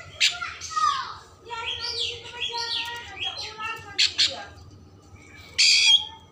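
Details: Oriental magpie-robin song meant to stimulate emotion and tail opening: varied whistled phrases, rising and falling slurs, with harsh buzzy bursts between notes; faint background hum.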